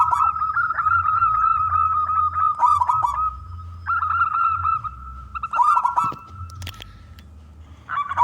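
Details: Loud local Zebra dove song meant to lure other doves into singing. Sustained ringing coos with rolling trilled breaks come in phrases of a few seconds, fading briefly near the end before resuming, over a faint low hum.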